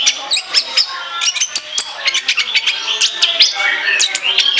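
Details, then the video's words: Orange-headed thrush song for luring birds: rapid, chattering phrases of sharp chips, clicks and short whistles, tumbling on continuously with loud accents every fraction of a second. "ANIS KEMBANG NGOCEH NGEPLOOONG, SIAP JADIKAN PIKATAN"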